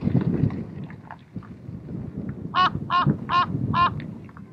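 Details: A Common Raven of the Canary Islands subspecies (Corvus corax canariensis) on Fuerteventura, Spain, in February 2017 gives four quick, nasal, honking calls, about one every half-second, after low rumbling wind or background noise.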